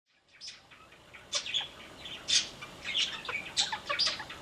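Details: Yellow-crowned parakeets kept in an aviary, giving short, bright chirps and squeaky high notes in scattered bursts, with louder clusters around the middle and end and quiet pauses between.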